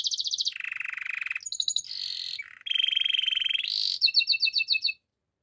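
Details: Canary song made of rapid rolling trills at shifting pitches, each held about a second, with a short low dip in the middle, closing on a run of crisp repeated chirps; no background noise.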